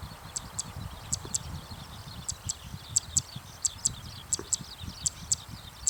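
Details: Zitting cisticola calling in the evening after flying into a farm field, staying put and unafraid; thin, sharp, very high clicks, mostly in quick pairs, repeated steadily over low rumbling background noise.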